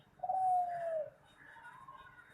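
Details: Spotted dove, a competition-style singer, giving one long, smooth, hollow coo held for nearly a second, then fainter trailing sounds.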